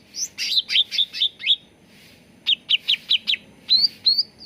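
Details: Cucak ranting bulbul singing, a lure and training recording to get birds singing fast: a rapid series of bright chirps, a brief pause, more quick chirps, then two long rising whistles.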